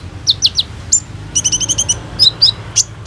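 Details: Kolibri ninja sunbird, recorded as lure song for training birds: three downslurred high notes, a brief gap, then a rapid rattling series of paired chips and a few sharp squeaks.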